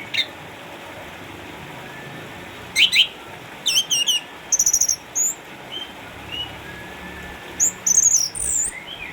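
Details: Former champion Orange-headed thrush, eight years old, caged at home in Sukabumi, Indonesia, after cataracts ended its contest days, giving scattered piercing high notes, a quick stuttering trill and faint softer whistles between phrases.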